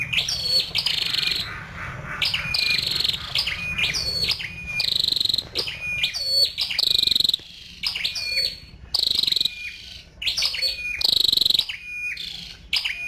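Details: Repeated bursts of thin, high chirps and short buzzy trills from a female scarlet-backed flowerpecker, some ending in a flat whistled tone, continuing steadily for the whole stretch with brief pauses and a faint low hum behind.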